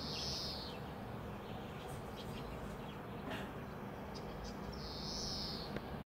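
A European greenfinch gives two long, nasal, buzzy wheezes, about five seconds apart, over a steady low rumble and faint background hiss.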